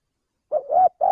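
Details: Male spotted dove call used as a lure to attract birds for trapping: after a brief silence, a short low coo and a longer swelling coo, then a third held note that is cut off, with no other sounds.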